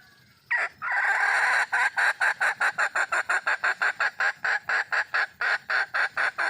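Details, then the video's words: Red junglefowl hen in the wild, calling for a mate, opens with a sharp note and a sustained rasping call, followed by a long, steady series of about twenty quick, even clucking bursts. "le bruit d'une poule sauvage,เสียงไก่ป่าร้องหาถู่หาตัวผู้,ສຽງໄກ່ປ່າຮ້ອງຫາຄູ່ຮັກ, poj qaib qus see"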